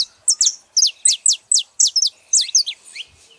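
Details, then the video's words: Saffron finches, a female and a male, in a quick series of loud, high, downward-slurred chirps, about three per second, clean and close. "canários da terra fazendo barulho fêmea e macho"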